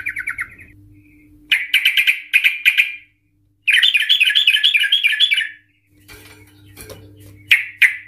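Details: Sooty-headed Bulbul (Trucukan), singing hard in an agitated 'emosi' state, with a long 'ropel' trill and 'ngikluk' notes, used as a lure to set other bulbuls singing: bubbly chattering bursts, then a two-second rapid trill, under a steady low electrical hum.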